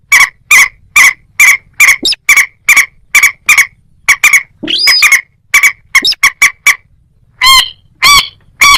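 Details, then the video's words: Moorhen producing a long run of evenly spaced hard clicking calls, with a squealing note near the middle and a few ringing, more nasal notes at the end. "ডুংখোর পাখি ও খেনি পাখির ডাক(moorhen @ little cracked bird sound)"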